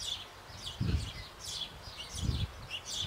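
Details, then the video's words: Sparrow family at a birdhouse on an old apple tree in Bavaria, nestlings shortly before fledging while parents feed them: short high chirps in loose bursts, with dull low thumps and knocks near one and 2.3 seconds. "Bayrische Spatzen"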